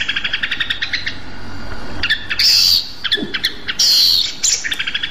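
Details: Rueck's blue flycatcher, a Sumatran endemic, gives quick runs of bright, stuttering chips, broken twice by loud, harsh buzzy bursts; no other sounds intrude.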